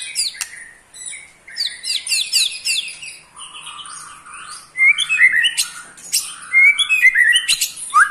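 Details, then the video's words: Eight-month-old male white-rumped shama, pastol type, kept caged, singing a fast trill to rouse rival shamas: clusters of sharp high chirps, then louder rising whistled phrases with clicks, delivered in quick succession. "KETREKAN Pastol 8 bulan Bikin EMOSI murai Lain"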